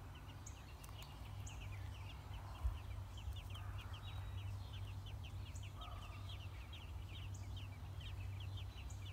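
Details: At an American robin nest where six-day-old young are fed, a rapid chorus of short high chirps rises into dense, steady runs in the second half, with low rumbling noise underneath.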